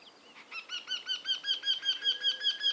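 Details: Bird calling from a tree: a rapid series of clear, high, slightly rising chirps, about five per second, growing louder and then steady.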